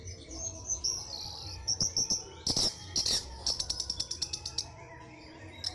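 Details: Pet Orange-headed thrush in a cage just before a songbird competition, giving high thin whistled notes that break into a quick series of sharp clicking chips, with background noise.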